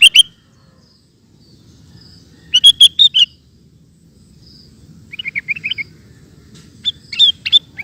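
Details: Sooty-headed bulbul in ropel song: loud chirps at the start, a burst of rapid bubbly notes, then a run of softer warbled notes and a final bright phrase over low rumble.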